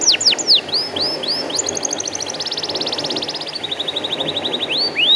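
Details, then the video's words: Canary singing a lure song to set inexperienced young canaries singing: a string of sweeping whistled slurs gives way to long, fast, evenly pulsed trills that shift pitch slightly, closing with a rising whistle. "PANCINGAN KENARI BAHAN TERBARU"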